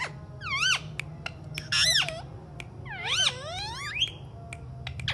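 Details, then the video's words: Alexandrine parakeet talking indoors: a string of strongly harmonic, looping and swooping squawk-like phrases, some rising and falling sharply, separated by brief clicks, over a low steady background hum. "alexandrine parrot talking"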